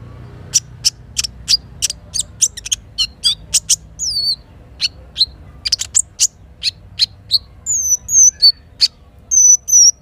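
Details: Morning song of a little spiderhunter in riverside forest: evenly spaced sharp high chips about every third of a second, then thin slurred whistles and a few longer buzzy notes near the end, over soft running water.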